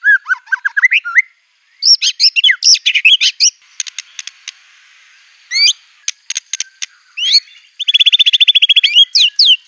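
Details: Aggressively singing white-rumped shama using mimicked canary, cililin, cungkok and ciblek phrases: dipping whistled notes, dense chattering runs, a few dry ticking clicks and a closing fast trill of high notes.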